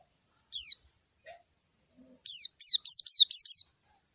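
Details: White-eye calling a rival: a lone high descending note, then after a pause a run of five sharp, downward-slurred chirps in quick succession.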